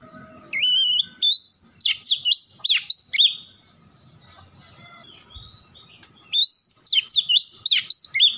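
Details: White-rumped shama song played to get birds singing: two bursts of quick, varied, ringing whistles with swooping and looping notes, separated by about three seconds of quiet hum.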